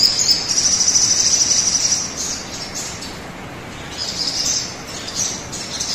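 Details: Song of a crimson sunbird, played to set other birds singing. A fast, bright, very high trill runs for about two seconds, then softer high chips follow over a constant hiss.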